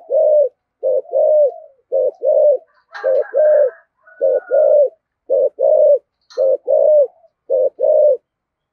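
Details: Spotted dove in giọng thổ voice delivering a steady thúc gù series, deep paired coos repeating about once a second in a firm rhythm, with a brief higher rattle and a sharp click midway.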